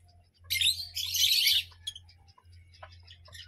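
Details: Parrot giving one long harsh, raspy screech lasting about a second, then a few faint scratchy notes, over a steady low electrical hum.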